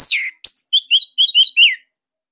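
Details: Caged Bali orange-headed thrush giving a loud, tight 'tembakan sirtu' phrase used as master song for other thrushes: a sharp falling whistle, then a quick run of about seven high, chirpy twittered notes.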